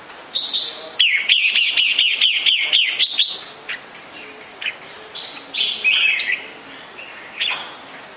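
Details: Red-whiskered bulbul repeating a clear chirping note about four times a second for two seconds, then breaking into looser, varied whistled chirps with pauses, against a quiet hissy background.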